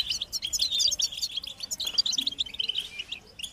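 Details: Excited group song of European goldfinches, played to stimulate males to sing. Rapid sparkling twitters and clipped metallic notes tumble over each other in an unbroken flurry, ending on a short, slightly falling buzz.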